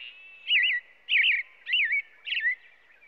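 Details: American robin song: four loud, liquid, up-and-down whistled phrases delivered about every half second, each a rolling caroling slur, over a faint steady hum.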